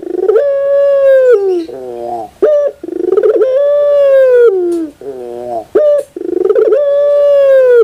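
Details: Collared dove in loud, close, continuous song: long steady coos of about a second each, alternating with lower wavering notes and short sharp accents, the phrase repeated three times.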